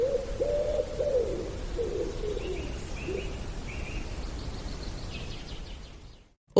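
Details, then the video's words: A common wood pigeon by a bridleway beside a farm with fields and hedges in the West Sussex countryside gives soft, hooting coos in a rhythmic phrase over about three seconds, while small birds chirp thinly in the background. ">> Yes, there were wood pigeons which are so familiar that we almost stop hearing them."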